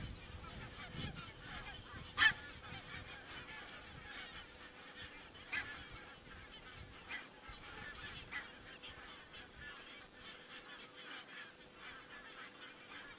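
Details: Geese in Estonia, picked up by a crane webcam on 27 September 2017: scattered short honking calls from a flock, several sharp notes standing out over a steady murmur of distant calling.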